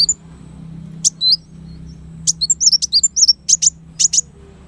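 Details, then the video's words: Kolibri wulung sunbird heard as master song for training songbirds: a few isolated high chirps, then a lively run of thin, twisting whistles and sharp notes over a faint low hum. "suara burung kolibri wulung sangat cocok buat masteran"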